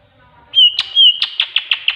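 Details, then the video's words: Greater green leafbird song with tengkek buto filler, used as a master recording to prompt other birds to sing: a long clear whistle at steady pitch, then a series of sharp, evenly spaced chirps. "Master Cucak Ijo || isian burung tengkek buto."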